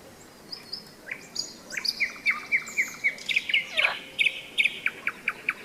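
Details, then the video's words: May nightingale by the Seversky Donets, filmed during a hike halt in thunderstorm season: a fast run of sharp repeated notes, about four per second, forming a steady rolling trill after a few opening whistles. "Майская трель соловья"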